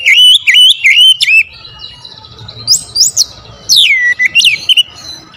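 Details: Oriental magpie-robin singing a loud lure song: wavering whistled phrases at the start, then high piercing notes and steep descending slurs, with short clicking ticks between phrases.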